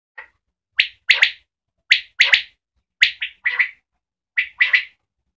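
Common quail giving its liquid three-note phrase, a single note then a quick pair, repeated four times about once a second; nothing else is heard.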